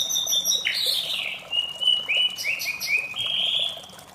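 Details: White-rumped shama giving its melodious morning song, a flowing mix of high trills, sliding whistles and rising phrases, with a constant background hiss.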